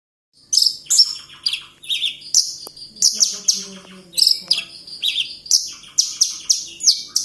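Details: Javan bush lark, a caged bird kept as a songbird in Kediri, in vigorous singing: bright high chirping phrases repeated in quick bursts roughly every half second, with a faint low hum behind.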